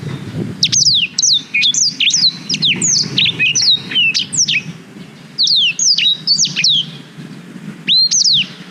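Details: Black-throated canary singing, captured on a GoPro Hero 5 for tutoring canaries: a lively run of clear whistled notes that swoop and trill, sung in three phrases broken by short pauses, with faint low background hum.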